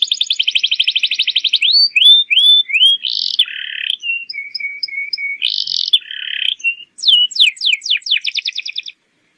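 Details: Training song of a canary for young birds: fast buzzy trill, rising whistles, harsh burry notes, a string of soft even low whistles, more harsh bursts, then quick downward sweeps and a closing trill.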